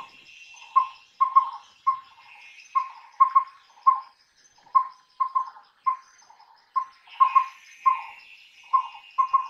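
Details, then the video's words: Collared owlet, also called collared pygmy owl, calling by day: a long series of mellow whistled hoots, single and paired, spaced roughly every half second to second, with a steady high insect ticking and faint higher chirps behind. "Collared Owlet Sound ! Collared Owlet Call ! Collared Owlet Voice"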